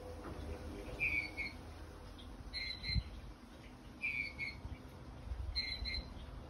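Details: Eurasian bullfinch giving soft, mellow, quiet piping notes, single or doubled, about every one and a half seconds, over a low background rumble; the song is very quiet and unassuming, more often heard as calls.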